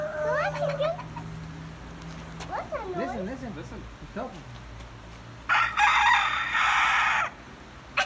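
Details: Rooster in Adjuntas, Puerto Rico: a short rising harmonic phrase, then wavering falling notes near three seconds, followed by a loud, harsh, sustained burst lasting about two seconds, with a low steady hum underneath.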